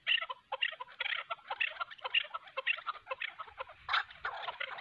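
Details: Harsh, fast clucking and chattering as a decoy chukar used for hunting and a wild mountain chukar fight, with bursts of notes packed closely together and brief gaps between runs.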